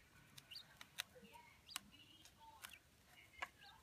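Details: Two fully adult Chinese blue-breasted quail, Darth Vader and Golden Pearl varieties, kept indoors in a sandbox, with one giving happy sounds: faint, short whistled chirps and squeaks scattered over sharp scratching clicks, with a television murmuring behind.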